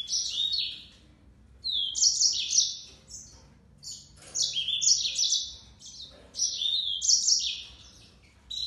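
A yellow-fronted canary sings bright, high twittering phrases of quick warbled notes and trills, repeated in bursts with brief pauses between.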